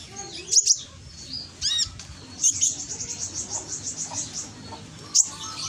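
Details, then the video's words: Konin lure song recorded by phone in Gresik, East Java, used to make reluctant birds sing; a few sharp high chirps, a brief wavering note, then a soft series of evenly spaced high ticks, another sharp chirp near the end. "Pancingan konin yang malas bunyi langsung emosi ikut nyaut"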